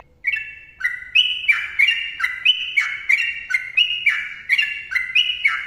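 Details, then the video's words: Sooty-headed bulbul singing a long rapid sequence: loud, ringing whistles with a sharp onset, repeated roughly every half second and alternating between higher and lower pitches. "TRUCUKAN GACOR ROPEL PANJANG MBONANG SUARA RAPAT"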